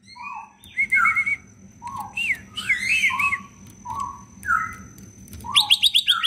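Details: Leafbird singing in the vigorous 'gacor full isian' style, a song used to stir lazy green leafbirds into singing: clear whistled notes near one kilohertz alternate with higher slurred phrases and a closing burst of rapid sharp chirps, over a steady faint hum.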